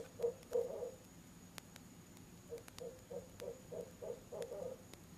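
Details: Barred owl pair at a nest box on an October evening, 7 pm, during an out-of-season visit, the mate joining in: two hoots, a pause, then a quick run of about eight low hoots, with a faint steady high hum.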